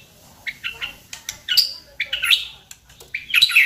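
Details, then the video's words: White-rumped shama used as a lure to provoke singing: short, harsh, chattering notes and raspy bursts repeated at irregular intervals, with some higher squeaky notes. "pancingan MURAI BATU agar GACOR dan LANGSUNG EMOSI bongkar isian"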